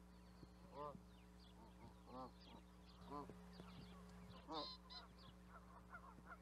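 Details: Repeated nasal honks of Canada geese, each a short stacked, bending call roughly every second or so, with softer higher chatter between them and a constant background hum.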